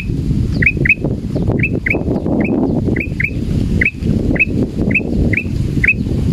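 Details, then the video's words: Male sooty-headed bulbul, described as frightened while hung at a cliff edge, gives short, bright hooked notes, often in quick pairs, about twice a second, over a steady low rumble of traffic or wind. "SUARA KUTILANG EMAS JANTAN MERASA KETAKUTAN"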